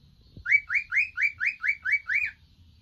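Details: One of three young male pet cockatiels at home gives a quick series of eight bright, up-slurred chirps, about five per second, with only faint room noise behind.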